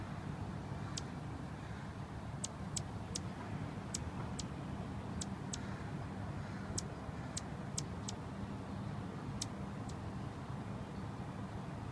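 Anna's hummingbird gives sharp, high, ticking chip notes, singly and in quick pairs at an uneven pace, over a steady low rumble of traffic.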